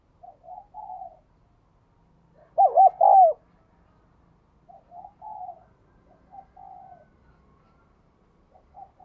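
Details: Spotted dove, caged, cooing in the 'đồng kim' voice style to stimulate newly caught birds. Soft coos open, then a sudden loud rolling three-part coo, followed by several gentle, muffled coo phrases at intervals.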